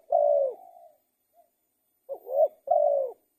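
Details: Spotted dove gives a long sustained coo trailing off softly, a pause, then a phrase of a rising double note followed by a drawn-out level coo, clean and quiet.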